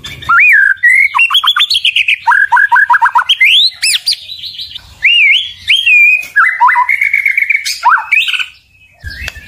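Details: White-rumped shama song of ringing whistles, quick repeated falling notes in runs of four to five, and upward sliding phrases, loud and clear, ending in a brief quiet pause with low hum.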